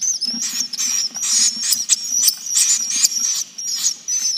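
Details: High, chattering swiftlet calls from a lure recording meant to make the birds roost, with squeaky, twittering bursts over a steady thin whistle and a faint low hum beneath.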